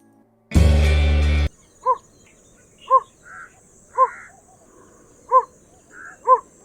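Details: Yellow bittern (Ixobrychus sinensis) gives five short, harsh, croaking notes, about one per second, just after a brief burst of music.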